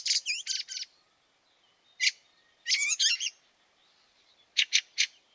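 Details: Fieldfare calling in snow, Liepāja, Latvia, March 2023: rasping chack notes in quick groups, one wavering squeaky phrase, and a closing run of three sharp clicks.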